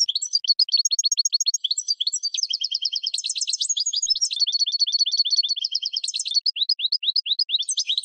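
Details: European goldfinch pouring out spring song for training cage birds: eight seconds of unbroken, fast, chattering twitters with buzzy trills and sharp rising notes, no other sounds.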